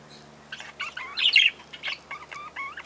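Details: Lineolated parakeet (Catharina parakeet) uttering quick, bright chirps and warbled notes with a clear ringing tone, a louder cluster in the middle, then rhythmic chirps toward the end over a faint low hum.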